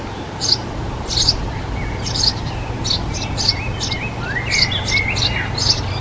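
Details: Eurasian tree sparrow, nesting successfully in a nest box, gives short, bright chirps repeated about twice a second, with a few thin rising whistles from another bird over a low steady hum.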